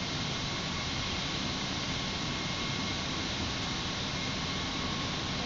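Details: Steady broadband hiss with a faint constant tone running throughout; no animal calls are heard.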